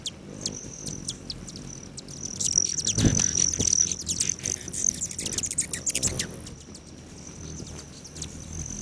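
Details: Morning hummingbird activity at feeders by a lodge bordering Great Sand Dunes National Park, Colorado, July 29, 9:14 AM: dense flurries of rapid, piercing high chips with a sustained thin whine running through, over a soft low hum.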